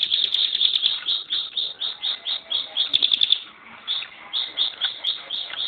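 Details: Mountain prinia kept as a contest songbird, giving fast bursts of shrill, buzzy high notes in quick rhythmic groups, briefly pausing before resuming the rapid chattering run.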